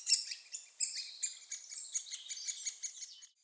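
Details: Nestling great spotted woodpeckers begging while being fed at Staverden, Netherlands, give a rapid run of thin, high, squeaky chips, three or four a second, tapering off at the end.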